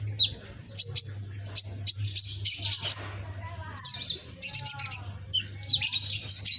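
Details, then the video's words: Juvenile captive sunbird, red-backed and greenish, practising its song: rapid high chips and buzzy twittering phrases with a few soft lower notes in the middle, all against a steady low hum. "Burung Kolibri ninja punggung merah ijoan gacor"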